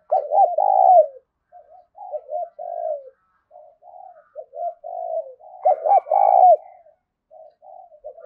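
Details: Spotted dove cooing, played to provoke wild doves to come and fight a decoy: a loud coo phrase opens, then a run of softer short coos and another strong arched double note with a long hoarse coo.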